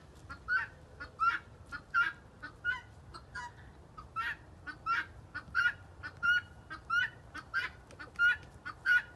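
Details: Six-month-old young ostrich, dancing, giving short clear mid-pitched peeping notes in an uneven series, with scraping and rustling noises between them.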